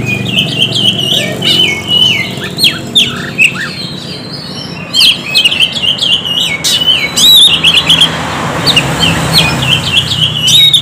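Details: Lure recording of an Oriental magpie-robin singing to rouse silent birds: varied whistled phrases mixed with scratchy bursts and clicks, loud throughout, with a low droning background.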